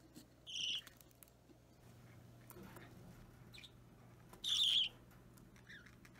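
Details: Hand-reared budgerigar chick around three weeks old begging while fed, March 2017: two short, rough squawks about four seconds apart, with soft rustling and faint ticking between.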